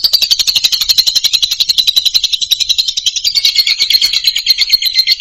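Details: Loud Indonesian lovebird song, used as therapy for moulting or quiet birds: one unbroken, fast, rattling trill of harsh chirps, about three per second, that drifts slightly lower toward the end.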